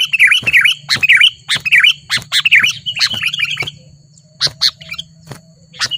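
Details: Wild sooty-headed bulbul, agitated and challenging a rival in the city of Lubuklinggau, Indonesia: bright, bubbly chirped phrases repeated about every half second, mixed with sharp squawky strokes, then sparser notes and a low steady hum.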